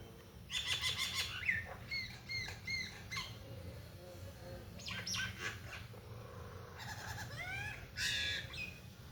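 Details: Common myna (Acridotheres tristis) pair singing and chirping after rain at a house window: a jumble of harsh chatters, gurgles and clear rising whistles in irregular bursts, with a low outdoor rumble beneath.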